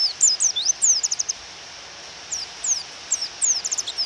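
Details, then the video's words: White-eye female calling to provoke a male to sing, rain in the background: quick high chirps, some rising and some falling, in short runs separated by a one-second pause, over steady hiss. "Pleci Suara Memanggil Lawan dan Suara Hujan"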